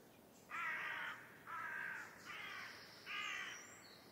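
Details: Carrion crow giving four harsh, hoarse caws, each about half a second long and spaced roughly a second apart, the third somewhat weaker; faint high bird chirps in the background.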